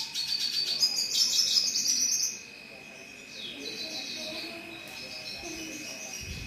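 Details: Red siskin singing: a rapid run of high, buzzy twittering notes for about two seconds, then a softer descending whistle, over a steady electronic hum.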